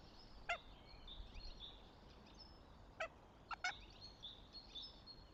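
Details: At a goshawk nest near Tartu, Estonia, late April 2025, three short, rasping harmonic notes stand out, one alone and then a close pair, over faint background birdsong.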